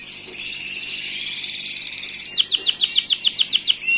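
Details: Gloster canary in song: a high rattling trill building steadily in loudness, followed by a run of sharp descending whistled notes repeated about three per second.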